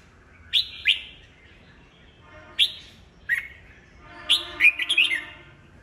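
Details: Kept red-whiskered bulbul, an old bird caught in the wild, singing to provoke rivals into competitive song. Paired sharp chirps open the passage, followed by scattered single notes and a closing burst of rapid, jumbled warbling.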